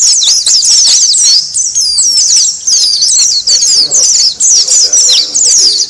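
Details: Noisy Oriental white-eye chatter used to lure wild white-eyes: fast high chirps and rising-falling whistled slurs tumbling over each other, with brief dips in loudness.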